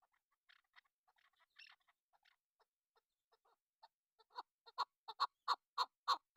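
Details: Calling female chukar partridge kept as a hunting lure: soft scattered chuckles that build into a loud, evenly spaced series of clucks over the last two seconds.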